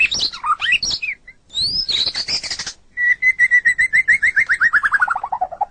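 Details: White-rumped shama song for training caged birds: jumbled whistles, a long rising sweet phrase, then a rapid trill of repeated notes slowly falling in pitch.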